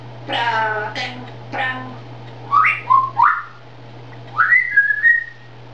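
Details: Grey parrot talking in Czech: a few harmonic, speech-like syllables, then rising and falling whistled notes with short pauses between, against a steady low hum.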